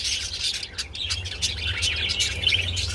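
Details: Budgies calling while mating: rapid chirps and clicky warbles around three per second, a busy scratchy chatter over a constant low hum.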